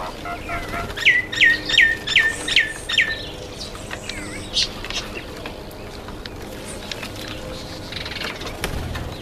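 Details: At a feeding table, an Indian myna repeats a loud, sliding, downward note six times in quick, steady succession, about twice a second, then adds a few quieter chirps over a low background hum.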